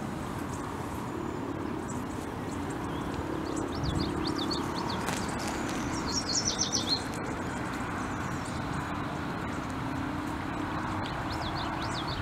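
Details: A group of American bushtits bathing together give thin, high chips and twitters in short bursts over a steady rushing background, possibly water or distant traffic.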